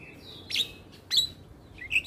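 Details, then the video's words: Javan myna training song: three short squeaky whistled notes, spaced apart, the last one lower and buzzy. "Masteran Jalak Kebo Gacor Full isian - Semua Jalak Langsung Buka Suara"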